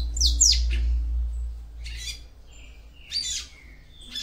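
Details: Female capped seedeater (papa-capim) singing to stimulate the male: a quick burst of sharp high chirps, then buzzy slurred notes and a descending whistle, over a low rumble at the start.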